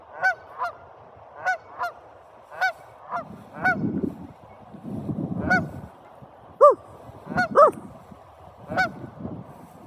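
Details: Several geese honking: loud nasal honks, some in quick pairs, spaced irregularly every second or so, with bursts of low rumbling background noise between calls.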